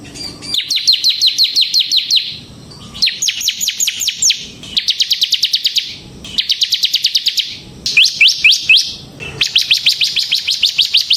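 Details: Ciblek semi, a bar-winged prinia, in gacor ngebren song used for luring birds: six rattling bursts of very fast, dense chip notes, each burst about a second long with short quiet gaps.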